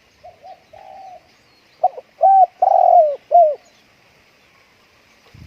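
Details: Spotted dove staying home on a windy day: a few soft quiet coos lead into a loud phrase of four mellow hooting notes, the third longest and dropping slightly, in a quiet setting.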